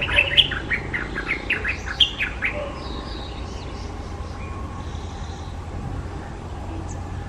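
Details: A White-browed bulbul in South Goa, India, gives a quick, bubbly burst of sharp chirping notes lasting about two and a half seconds, then falls quiet over a steady low background hum.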